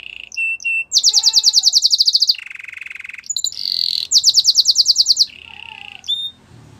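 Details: Belgian canary in full song: fast buzzy high trills alternate with steady, lower sustained whistled tones and short clipped notes, the phrases changing abruptly every second or so.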